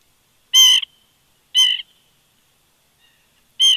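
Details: A woodpecker close to an eagle nest at Big Bear, on a September morning in 2019, gives three loud, harsh, squawking calls about one second apart. The background is otherwise quiet.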